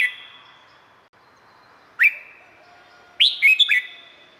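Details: Song of a red-whiskered bulbul from Thailand, played to train birds or make them lively: a lone rising whistle, then a brisk cluster of four bright, bouncing notes with a reverberant fade.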